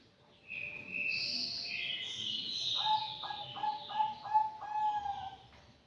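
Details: An aviary-kept anggungan, five months old, starts with high sliding whistles, then drops into a series of about six lower, evenly spaced hollow notes.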